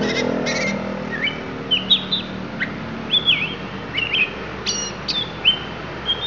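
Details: Lampung oriental magpie-robin singing isian: sweet clear whistles, each rising or falling, spaced roughly half a second apart, mixed with sharp high chips, after a brief low rumble at the start.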